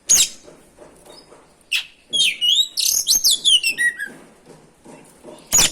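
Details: Oriental magpie-robin song used to provoke other birds to sing: a sharp click, then a dense cascade of loud, varied whistled and twittering notes, falling at the end, with clicks before and after.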